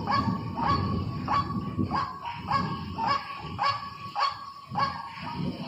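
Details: White-breasted waterhen lure call: a harsh, croaking note repeated about every 0.6 seconds, each starting with a short rising onset, over low rumbling background noise.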